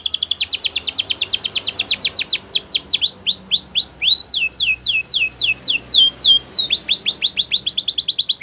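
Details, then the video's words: Belgian canary singing continuously in rapid repeated tours of sweeping whistled notes. It shifts between fast trills and slower descending slurs, a few per second, with a faint low hum underneath. "Belgian Canary Song"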